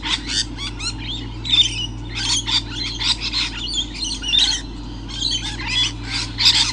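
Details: Lorikeets in the morning around 7:29 in 2013 give a dense stream of shrill, screechy chatter and squawks, several birds overlapping with no pause, over a low steady hum.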